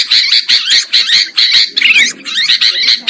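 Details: Lure call of sooty-headed bulbul for catching birds: busy, rasping chatter repeated in short bursts, with a clear downslurred whistle near the middle.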